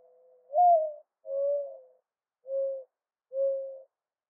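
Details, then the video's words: A mourning dove calls in a mournful series: a low opening coo rising into an emphatic note, then three shorter, flat coos spaced evenly, with nothing else audible. "Mourning Dove Call"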